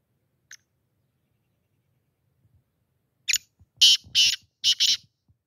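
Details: Black francolin giving its grating territorial-style phrase after a near-silent start: one faint tick, then five harsh buzzy notes, a short lead-in followed by two doubled pairs, closing within about two seconds.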